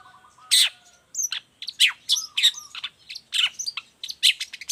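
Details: Long-tailed shrike singing busily, a recording for tutoring and luring other shrikes: a sharp loud note, then a varied jumble of squeaks, chips and short whistles, with brief low whistled tones in between.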